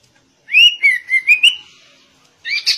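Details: Sooty-headed bulbul giving shama-style song: a smooth sequence of five sweet whistled notes, slightly wavering in pitch. After a brief gap, a sharper two-part phrase follows.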